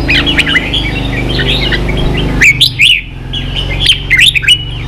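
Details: Red-whiskered bulbul kept as a cage bird, competing in song: rapid liquid whistled phrases, then a sudden louder burst of sharp chirps after a brief pause, over steady low background hum.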